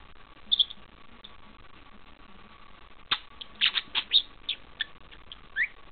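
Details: Caged pet parakeet copying a bell sound as it tussles with a thumb: a quick squeak, a quiet pause, then a rapid burst of bright chirps and chattering notes.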